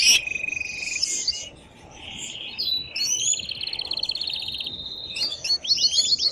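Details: Excited male canary sings loudly and fast for chicks to learn from, with high chattering trills, a long rolling buzzy tour and sharp rising whistles, all in an unbroken stream.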